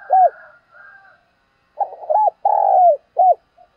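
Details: A spotted dove coos in the morning, used as a decoy call bird: low, mellow, short arched notes and one longer drawn-out croon, repeated in a soft phrase, with a quieter coo faintly in the background.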